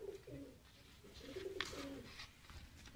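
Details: Domestic pigeons in a loft, birds that have been painted with colour, giving low soft cooing notes in short repeated phrases, with faint rustling and a sharp click midway in a small room.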